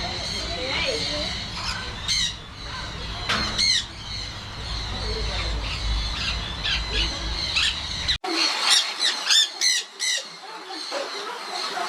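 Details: Many squawks from a crowd of macaws and colourful parrots in a walk-through aviary in Trichy, India, as visitors hand-feed them seeds; grating cries come in bursts several times a second, with people talking nearby and a brief dropout.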